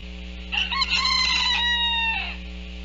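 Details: Rooster on Kauai, Hawaii, June 6, 2017, crowing loudly at its own reflection in a mirror, treated as an intruder: one long harmonic cock-a-doodle-doo, rough at the start, then a sustained steady note and a falling end, over a low steady hum.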